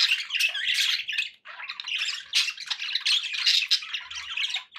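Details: Pet budgerigars chattering steadily, a dense run of scratchy squawks, chirps and warbles in bursts, with a brief pause near the middle; no other sounds.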